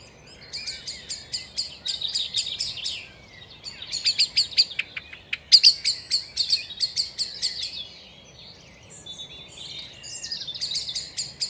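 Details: Common chaffinch alarm calls at a woodland pond in the British countryside, warning of a nearby grass snake hunting frogs: sharp, high chinking notes in quick bursts, several birds calling together over a quiet background.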